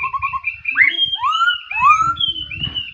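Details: Morning song of a laughingthrush: a quick run of short repeated notes, then long, smooth, rising and falling whistles that overlap. A low rumble sits underneath.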